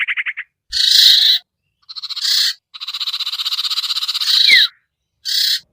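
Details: Lure recording of the sirtu, a bird said to be hard to bring down: short pulsed stutters lead into long buzzy rasping bursts, then a quick falling whistle and a final harsh burst.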